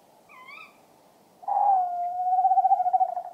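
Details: Tawny owl (Strix aluco), British Isles, pair duet: a faint sharp kewick ("twit") from the female, then the male's long mellow hoot ("woo") ending in a wavering tremolo.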